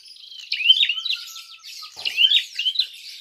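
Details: Prinia giving a loud fighting call used as a lure to provoke other birds: sharp chirped phrases, each dropping then rising, repeated roughly every half second, with a thin steady whistle in the background.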